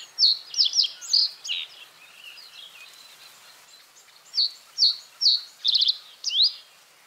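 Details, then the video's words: Common reed bunting singing: a short phrase of high, sharp chirped notes, then a pause and a second phrase with a fast buzzy trill and a rising final note. Softer chatter from other birds runs underneath. "Common reed bunting | Emberiza schoeniclus"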